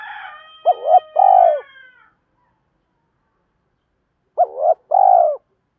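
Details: Decoy spotted dove calling and challenging rivals to draw in wild birds. A trailing note fades out at the start, then two deep cooing phrases, each a clipped rising note and a longer level coo, about four seconds apart.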